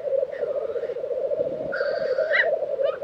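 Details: A lek of Black grouse in Tiveden, Sweden, in April 2023. A continuous low, rolling bubbling chorus runs under another bird's clear whistled notes and a rising sweep in the second half.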